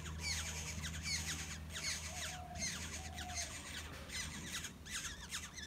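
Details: Nest of Black-hooded orioles with chicks being fed; rough, buzzy begging squawks come in quick repeated bursts, joined by a low steady hum and a few faint, thin whistled notes behind.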